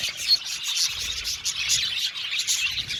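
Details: Budgerigar colony in an aviary, described as happy, giving a dense, continuous chatter of high, scratchy chirps and warbles that overlap without pause, with one brief brighter squeak near the start.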